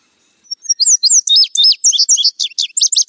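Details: Single indigo bunting song. It opens with a few thin, high notes, then speeds into doubled, slurred chirps that carry on to the end. No other sounds.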